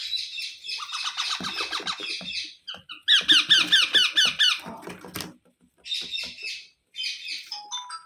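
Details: Baby Indian ringneck parrots kept indoors as pets, an adult feeding them by mouth; rapid, high, squeaky calls pouring out in fast runs, with brief pauses and a few clicks.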